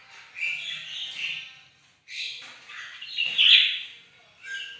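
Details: Bird-of-paradise in morning song, giving harsh squawky chatter and warbled phrases separated by a short silence, then a louder ringing burst.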